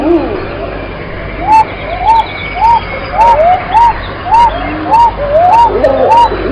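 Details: Repeated arched coos from a pigeon, evenly paced at nearly two per second. Fainter overlapping calls and occasional sharp ticks are also heard.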